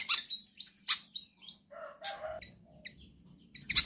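A pied fantail sings a quick run of sharp, squeaky chirps and short, falling whistles, with a few lower, rougher notes in the middle.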